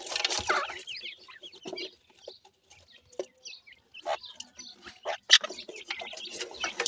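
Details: Baby pheasants feeding happily on new food; thin, high sliding peeps come in scattered bursts, broken by sharp pecking taps and brief pauses.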